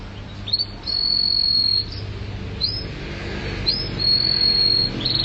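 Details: Canary, mabok teler style: long sustained pure whistled notes on one high pitch, each lasting about a second, separated by brief pauses and soft rising slurs.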